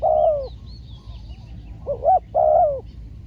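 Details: Spotted dove, a trained decoy bird taken out for a trapping session in Thailand, during which the first wild dove was caught. Three low hollow coos: a long falling note, a short doubled note, then another long falling coo. Faint high chirps behind.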